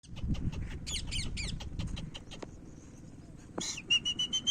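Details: Pet parrot vocalizing: a rapid run of short chirps and raspy squawk bursts, then a pause and a clear high whistle repeated three or four times at the end, over steady low rumbling background noise.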